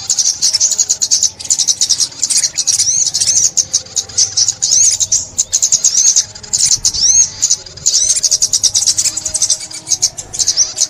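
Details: Olive-backed sunbird song recorded for bird trapping in 2021: high, thin, rapid chirping trills in dense bursts with short pauses, sweeping up-and-down notes scattered through the phrases.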